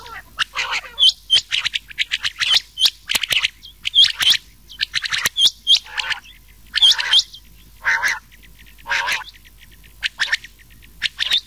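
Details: Rain quail and another quail calling together, as played for night hunting in summer: irregular groups of piercing metallic chirps, some with lower raspy undertones, spaced about a second apart.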